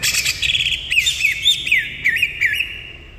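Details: Greater green leafbird song of clear whistled notes between short chirps. The notes bend up and down in quick slurs and follow each other at a lively pace, with faint rustling underneath.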